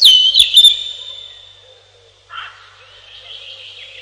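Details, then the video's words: Robin song opens with a loud, clear high whistled note and quick twitters, then thins to a long fading tone. A softer, scratchy warbled phrase follows. "1 Hour Robin Bird"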